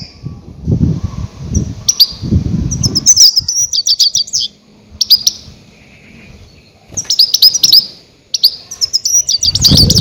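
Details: Goldfinch lure calls for catching grey-headed goldfinches: bursts of rapid, high, glittering twitters alternate with short quiet gaps, with some low rumbling noise at the start and end.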